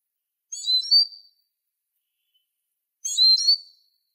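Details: Eurasian siskin (Spinus spinus): two identical short, bright phrases about 2.5 seconds apart, each a cluster of high chirps sliding into a clear, drawn-out descending whistle.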